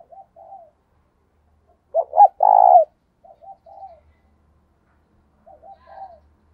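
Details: Decoy spotted dove calling wild doves with thúc and gáy coos: faint low double coos, then a strong phrase of two sharp coos and a long burry note, and soft short coos after; otherwise quiet.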